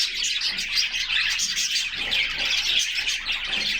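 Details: Several caged canaries singing together in summer sunshine, recorded by a fixed camera inside their cage; a dense, continuous mass of high twittering and trilled chirps with no pauses.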